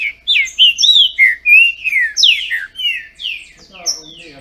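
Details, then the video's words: Competing captive Green-winged Saltators in Brazil trade song in a singing duel. Clear, sweet whistles rise and fall in quick succession, about three notes per second, then faint softer notes close the phrase. "Trinca ferro disputando!!!"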